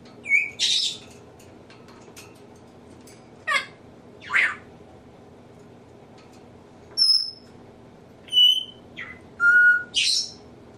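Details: Male pet African grey parrot indoors running through mimicked sounds and vocabulary; a series of separate clear whistles at varied pitches, some short and high, some lower and sliding, with breathy bursts between quiet pauses.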